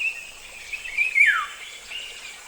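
African Golden Oriole: a single liquid, fluty whistle that slurs steeply downward, over a steady hiss of background noise.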